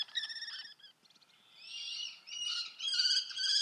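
Common kestrel giving harsh, high-pitched scratchy calls in quick bursts, some drawn-out and wavering, with brief quieter pauses between.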